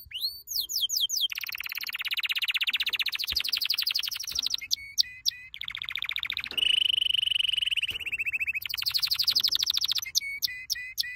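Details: Canary performing a training song: long rolling trills at changing pitches, separated by short crisp repeated notes, with a steady whistled trill in the middle.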